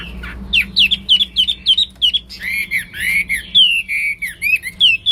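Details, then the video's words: Hwamei (Wambi), singing vigorously: fast, choppy whistled notes repeated in a rhythmic string, then longer, fuller warbling whistles that rise and fall, with sharp accented notes at the end. "Wambi / Hwamei Gacor"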